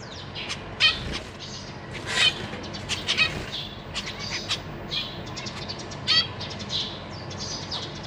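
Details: Zebra finch parents feeding fledglings and newly hatched babies in a cage, 14 April 2023: dense overlapping chirps and nasal beeps from several birds, with wing flutters as young practise flying.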